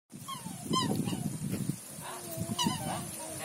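A goose gives a few short, nasal honks with brief pauses between them, over a steady low rumble of wind or handling noise.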